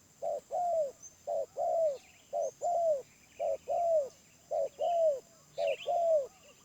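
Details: Steady paired coos from a wild spotted dove with a medium-pitched voice, a clipped note then a longer falling coo, repeated about once a second; faint twittering in the background.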